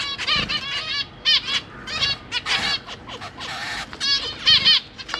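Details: Zebra finches, parents feeding three juvenile and three newborn chicks in a large cage, give dense overlapping harmonic nasal calls, short stacked bursts repeated rapidly with brief pauses.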